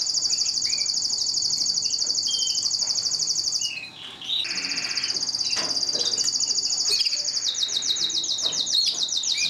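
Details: Mosaic canary in sustained song. A very high, rapid, rolling trill runs almost without a break. It pauses briefly near the fourth second, then resumes with quick chirps and sweeps and ends in a sharper, pulsing trill.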